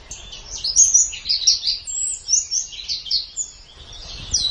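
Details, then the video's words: White-eye master song used in bird training: a flowing stream of high, warbled whistles and chirps rising and falling in pitch without pause. "Ocehan Suara Burung Pleci"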